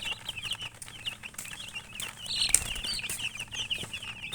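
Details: Colored chickens peep in a rapid, high chorus of short curved chirps, with a louder scuffling burst midway and some light knocking sounds.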